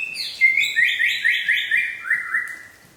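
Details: Song of an Aceh white-rumped shama: a fast cascade of bright, buzzy warbled notes stepping downward over about two seconds, opened by high sharp whistles.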